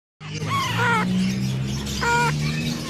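A grey parrot chick gives two nasal, harmonic begging calls about a second apart, over a steady low hum and faint background voices.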